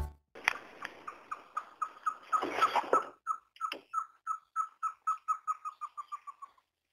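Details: A lesser coucal, a cuckoo of marshy grassland, gives a long series of hollow, mid-pitched hoots that quicken and run together toward the end, with a brief noisy burst partway through.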